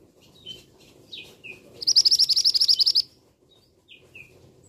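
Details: Fast series of about fourteen piercing high notes from a male scarlet minivet, lasting just over a second, set between short slurred chirps before and after.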